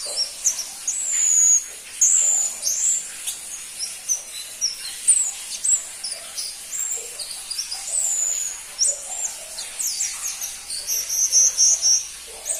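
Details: ['Crimson-breasted flowerpecker, or pentis pelangi, delivering long series of thin, piercing high chips and short trills in uneven bursts, some notes sliding up or down, over a steady background hiss.']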